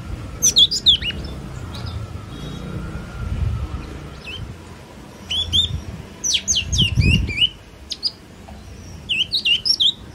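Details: Yellow-cheeked Tit giving bright, high chirps and short whistled notes in irregular bursts, with a soft low rumble in the background. Finding: Yellow-cheeked tit.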